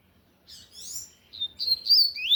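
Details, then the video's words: Loud Tui Tui style song of a double-collared seedeater: high twittering slurred notes followed by clear sustained whistles that rise and fall, ending on an upward sweep, against a quiet background. "Coleiro de gola Tui Tui cantando forte"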